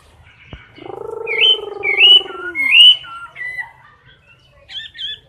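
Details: Caged Chinese hwamei singing competitively at close range: a sustained low harmonic drone dominates early, while short bright whistled upslurs come in a string of three, followed by softer scattered notes and a final paired chirp.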